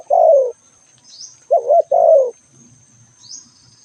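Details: Spotted dove giving low, soft coos: one long descending note, a gap, then a quick wavering double note joined to a drawn-out falling coo. A constant high electronic whine is present, with brief faint upward chirps.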